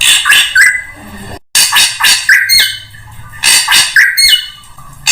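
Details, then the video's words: Drongo lure song for attracting birds: loud harsh squawking chips with short whistled tails, in repeated bursts broken by a brief silence. "SUARA PIKAT SRIGUNTING UNTUK SEMUA JENIS BURUNG"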